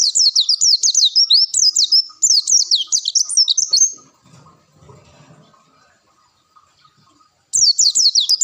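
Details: Long-tailed shrike pouring out its full repertoire of song material, recorded as a training track: rapid bursts of high, sharp chirps and upswept notes for about four seconds, a quiet pause, then the chattering resumes.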